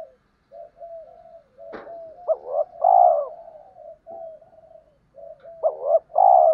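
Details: Low cooing of spotted doves, male and female, played to stir up wild males and train decoys. A faint hum, a sharp click, then two phrases, each a short throaty note followed by a drawn-out rounded coo.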